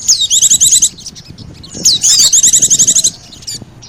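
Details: Oriental white-eye with sogon as a bird lure: a falling whistle opens two long runs of rapid, high chattering trills, separated by a quieter pause.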